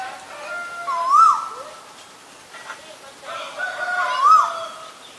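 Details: Asian koel calling: two short whistled notes about three seconds apart, each swooping briefly up and down in a loud, clear phrase, with faint background noise between them.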